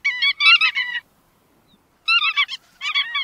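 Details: Bar-tailed godwit calling: two bursts of quick, nasal, harmonic-rich notes, each run about a second long, separated by a second of silence. Background is clean with no other sounds.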